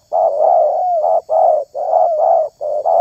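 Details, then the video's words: Spotted dove whose voice is valued in the luring hobby, cooing almost without break: a rapid chain of low, hollow, rounded notes running together over a faint steady hum. "SUARA TERKUKUR INI SANGAT ISTIMEWA"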